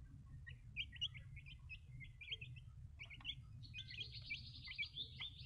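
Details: Young chicks peeping, clusters of quick high cheeps that merge into a sustained overlapping chatter in the second half, over low background noise.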